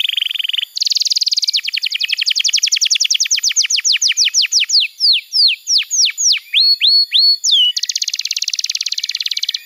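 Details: Canary song used to train young birds: a short buzzy trill, a long rapid run of repeated notes slowing into drawn-out falling whistles, then another fast buzzy trill.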